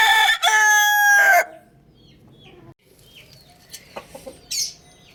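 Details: Loud rooster crowing: the final second of a strained, rough crow ends sharply, then quiet settles with scattered high chick peeps and a few soft clucks.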